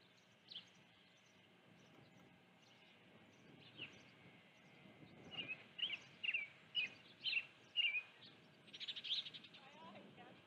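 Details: On a June 2019 afternoon, an osprey at the nest with a live fish calls quietly at first, then gives a quickening series of sharp, piercing whistled chirps. Soft background hum continues throughout.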